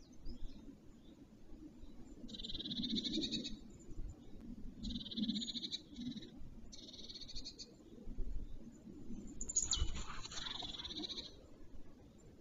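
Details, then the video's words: Male black stork, the first to reach the nest, near Wolsztyn, Poland, at 11:14 am on 2 April 2023, giving four wheezy, rasping, drawn-out phrases of one to two seconds each, the last rising to a thin whistle, over steady low wind rumble. "First Male reached this nest! Nice singing"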